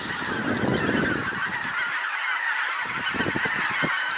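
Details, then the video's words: Hundreds of wild geese flying in over trees to land on a pasture: a dense, continuous chorus of overlapping nasal honks, with a low rumbling of wind or wingbeats in the first half. "Hunderte Gänse landen auf der Weide/ Hundred's of geese landing"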